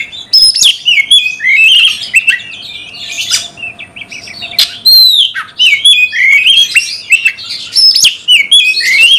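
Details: Singing Oriental magpie-robin (kacer) in a cage, song aimed at provoking a fighting response: dense, loud, continuous medley of whistled slurs, downward swoops, clicks and harsh squawky notes with few pauses; a steady low hum throughout.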